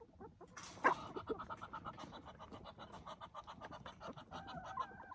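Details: A Muscovy duck in southern Arizona, begging for food among chickens and scolding and hissing at them, gives a fast, breathy, stuttering series of steady mid-pitched pulses, with a sharp knock early on.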